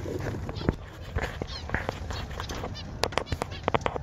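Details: Zebra finches in a busy aviary colony give short, nasal, honking calls over a low background rumble.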